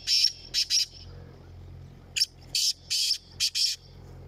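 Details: Black francolins in a calling competition: harsh, grating bursts in two short phrases of three or four notes each, separated by a pause, over a low steady hum.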